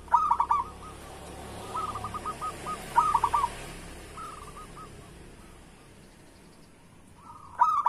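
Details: Local zebra dove (perkutut) singing, used as a lure to get lazy doves to sing. Short cooing phrases of quick pulsed notes come faintly at intervals, with long quiet gaps and low background hiss between them.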